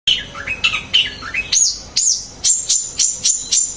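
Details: Long-tailed shrike singing: varied chirps and slurred whistles, first lower rising notes, then a run of sharp high chips repeated about twice a second, over a hissy background.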